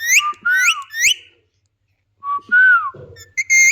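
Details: Indian ringneck parakeet whistling loud upswept notes three times in a row, then after a pause a falling slurred whistle and clipped high tones.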